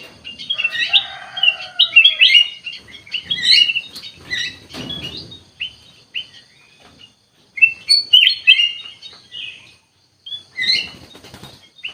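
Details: Kutilang emas bulbul singing busily (gacor), dense warbling whistles and chirps for several seconds with a lower sliding note early on, a quiet stretch, then renewed bright bursts.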